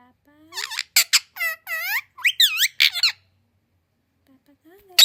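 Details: Indoors, a talking parrot said to speak several languages produces a string of nasal, high squeaky words with curving pitch for three seconds, followed by a quiet gap, a faint low voice and one last sharp squeak.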